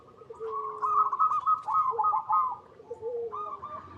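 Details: Zebra dove cooing, recorded in its natural habitat and used to lure other doves into calling; soft, low trilled coos running together in a continuous rolling phrase.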